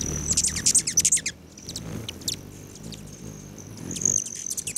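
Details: Hummingbirds gathered at patio feeders of a lodge near Great Sand Dunes National Park, Colorado, July 29, 9:14 AM; an opening burst of rapid squeaky chips, then a high steady whine, ending in another quick chittering series.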